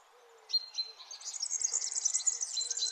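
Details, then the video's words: Sunrise chorus in the early morning: after half a second of quiet, a dense, high, jumbled twittering of birds begins. Thin whistled notes are mixed through it. "Sunrise early morning birds chirping sound"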